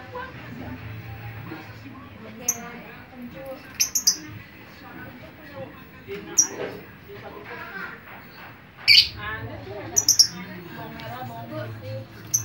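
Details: Chattering lovebird, a sound meant to draw in other lovebirds: scattered shrill squawks and quick twittering bursts throughout, loudest around the later part, with a low hum beneath.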